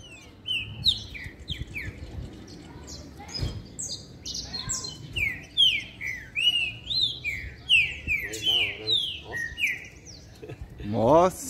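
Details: A caged green-winged saltator, or trinca-ferro, sings toward another bird, its posture showing the challenge: loud, clear whistled phrases of sliding, descending notes in quick series, with a man's voice and a few low knocks in the background.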